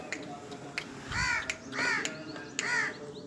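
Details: Black francolin in Pakistan, known locally as kala teetar: three harsh, rasping notes with stacked arched bands, each about a third of a second long and spaced roughly seven tenths of a second apart, over a low background hum.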